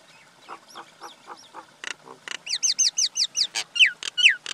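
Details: Male and female common mynas (Acridotheres tristis) give a busy, varied medley: harsh rasping bursts and clicks, then quick rising-and-falling whistled notes, about two each second, growing louder.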